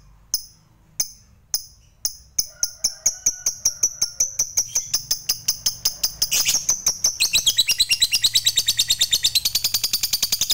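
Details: Fighter lovebird giving its long ngekek chatter, used to provoke other lovebirds into singing: a few sharp separate chips speed up into a dense, high, rattling trill of rapidly repeated notes that grows louder toward the end.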